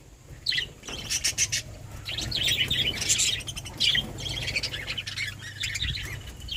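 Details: Budgerigars chattering almost nonstop, a dense run of high twittering, scratchy chirps and warbled notes rising and falling in bursts, with a faint low hum throughout.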